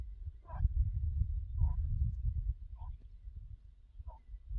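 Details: Chukar partridge during partridge hunting, four short mid-pitched chuck notes spaced about a second apart over low rumbling background noise.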